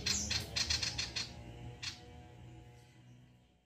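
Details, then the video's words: Male ashy tailorbird, song used as a prompt to make other birds sing: a short burst of quick, high, clipped notes, one more isolated chip, then fading silence with a faint low hum. "SIRTU JANTAN FULL NEMBAK GACOR MEMANCING BUNYI SIRTU"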